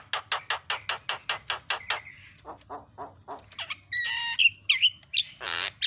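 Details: Javan myna, a masteran fill-in recording meant to make mynas call out: about nine fast, harsh, evenly spaced notes, then lower rasping notes, and ending with twangy whistles and a noisy burst.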